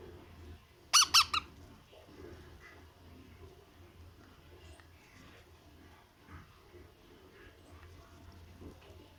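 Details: Three quick, scratchy begging squeaks from a baby parrot at feeding time early on, then quiet room noise with faint murmurs.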